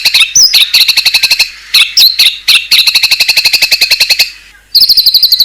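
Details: White-rumped shama singing a fill-rich song with fierce voice: rapid loud chip notes repeated about four per second, with a few whistled slurs mixed in, a brief pause, then a high trilled phrase.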